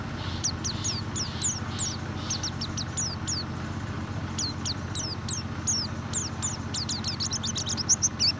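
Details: White-eye song used as a lure to get a reluctant white-eye to sing: rapid, high, thin chirps and downslurred notes in dense bursts, over a steady low rumble.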